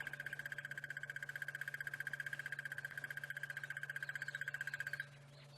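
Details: On a sunrise safari drive in the South African bush on 30 September 2016, a Crested Barbet gives a long, fast, even trill of rapid ticking notes lasting about five seconds, more like crickets or frogs than a bird, over a low engine hum.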